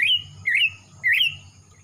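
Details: Young male greater green leafbird from Kalimantan, just past spotted juvenile plumage with black on the front of the throat, singing actively: three clear whistled notes, each slurred and rising, spaced about half a second apart, over a faint low hum.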